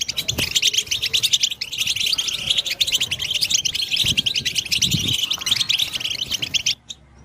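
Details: European goldfinch song for stimulating other goldfinches: a long, rapid, jingling twitter lasting nearly seven seconds before stopping abruptly, with a few low thuds in the background.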